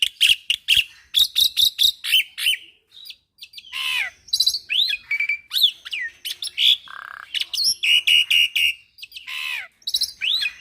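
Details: Young caged Black-winged Myna singing actively in a full-fill training recording: a fast medley of sharp chips, rising and falling whistles, and buzzy notes, delivered in quick bursts with brief pauses.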